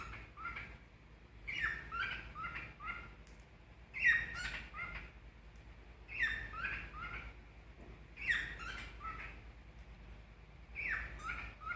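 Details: A cockatiel sings on a bed in bursts of bright warbled whistles and chirps, repeating phrases every few seconds.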